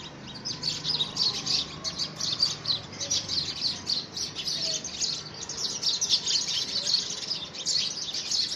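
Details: Rival house sparrows contest a man-made nest box during the first week of February 2017; bright, scratchy chirps pour out nonstop from several birds at once, steady in level.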